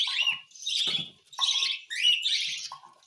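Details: Cockatiel during hand-feeding: three raspy, buzzing bursts with a rising whine in the last, and a softer steady lower tone between them.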